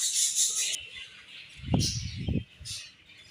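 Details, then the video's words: Budgerigars during morning feed. Loud high twittering fills the opening second, then softer chatter continues under two bursts of low knocking or rustling. "Beautiful Budgies Morning Feed And Chirping Sounds"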